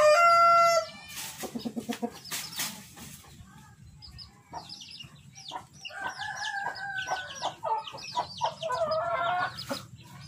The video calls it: white rooster crowing in the yard